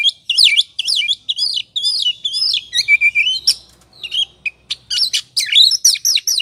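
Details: Oriental magpie-robin singing ngobra style as a lure to spark singing and aggression; quick varied slurred whistles, rising and falling, with short sharp chips between phrases.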